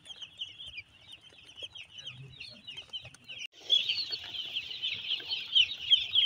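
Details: Broiler chicks under brooding at a farm in Nagoriakandi, Narsingdi, give a steady flock chorus of shrill, rapid peeps that grows noticeably louder and denser halfway through, with faint low knocks in the background.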